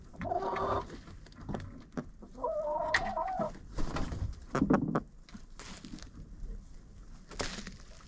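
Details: Hens in a friend's coop, picked up on a GoPro set inside: a burst of clucks, then a longer nasal call near three seconds, followed by scattered clucks, pecks and scratching thuds.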